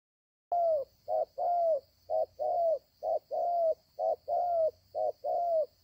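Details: Wild spotted dove with a strong voice, cooing in paired phrases: a short note followed by a longer, slightly falling coo, repeated about once a second; a faint steady high whine runs throughout.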